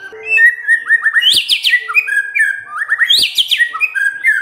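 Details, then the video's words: White-rumped shama song played to provoke silent shamas into singing: a whistled phrase with quick rising trill notes and a burst of high sweeping notes, the same sequence repeated twice in close succession. "MURAI BENGONG LEWATTT❗Pasti NYAUT Dengar Pancingan ini❗"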